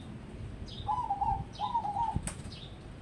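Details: Crossbred zebra dove kept as a contest prospect, giving two warbling, fluttering coo phrases pitched low, each about half a second long. A thin, higher descending note precedes each phrase, and a soft click is heard near the end.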